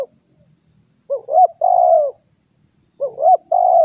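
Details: Spotted dove call used as a lure to attract wild doves and provoke other doves: two three-part coo phrases, each a short low note, a higher rising note, then a long, gently falling coo, about two seconds apart; a steady high hiss throughout.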